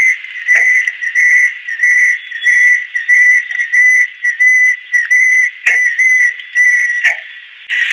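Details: Adult female banded kingfisher singing a long series of short, pure whistled notes, about two per second, evenly spaced, with a constant high insect buzz behind and a few soft clicks.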